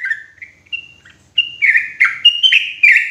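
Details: Sooty-headed bulbul lure call, loud and clear, used for trapping bulbuls in forest: soft, faint chattering notes at first, then from midway a loud run of bubbly, warbling notes stepping up and down, closely spaced.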